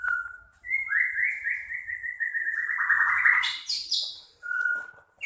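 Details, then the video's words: Medan-type white-rumped shama in harsh song for training other birds: a short whistle, then a long rising, rattling trill held for several seconds that swells into a loud harsh, buzzy finish, ending with a steady whistle. "kicau murai medan kasar abis//untuk masteran burung"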